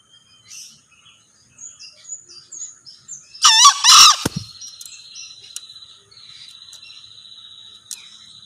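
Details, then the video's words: A single hoarse, two-note crow of a male green junglefowl, clipped and raspy, followed by a thin, steady insect-like buzz and scattered high bird chirps. "Suara Ayam Hutan Hijau(Jantan)"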